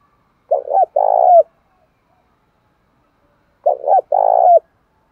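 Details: {'caption': 'Male-provoking spotted dove call, two identical phrases about three seconds apart, each a quick double coo followed by a longer trembling coo.'}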